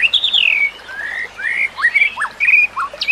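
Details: Training song of a white-rumped shama: long drawn-out squeaky whistles sliding downward and upward, then short sharp downswept notes, fairly loud, with a faint steady rushing background.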